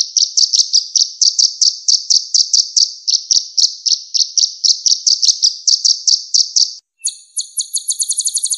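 A purple-throated sunbird repeats thin, high, buzzy notes about four times a second, then breaks into a quicker, sharper trill. No other sounds intrude.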